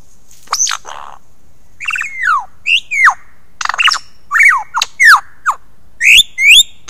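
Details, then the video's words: Male lyrebird giving an early morning performance on 15 July 2018 at Ben Ricketts Environmental Preserve, caught by a motion-sensing wildlife camera: a varied run of loud sliding whistles, sharp downswept notes and harsh squawky bursts, about ten phrases in quick succession. "A lyrebird at Ben Ricketts"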